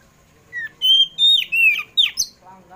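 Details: Afternoon song of a kacer poci Oriental magpie-robin, played to prompt caged magpie-robins into song: a short sequence of bright, sweeping whistles, some held and level, others sliding down sharply, delivered in quick succession.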